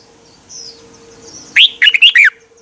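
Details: Red-whiskered bulbul song from Thailand, used to get caged birds excited. A faint high thin whistle and a steady low hum precede one loud phrase: a rising note, then three or four rollicking notes ending in a falling slur.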